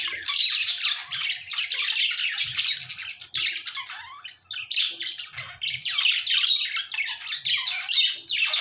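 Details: Budgerigars chirping: a continuous dense chatter of high scratchy warbles and squawks, many overlapping birds with no pauses.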